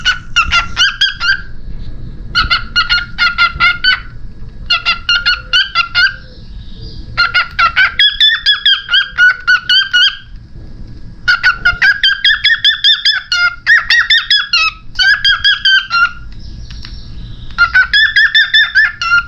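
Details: A pet cockatiel that has just begun talking chatters in rapid bursts of harsh, nasal, squeaky notes, pausing briefly between runs.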